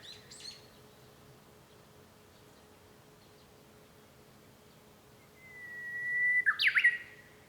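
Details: Recorded from a room at home on 5 May 2013, a Japanese bush warbler holds a steady whistled tone, then breaks into a loud, quick, jerky flourish. A brief chirp from another bird opens the recording.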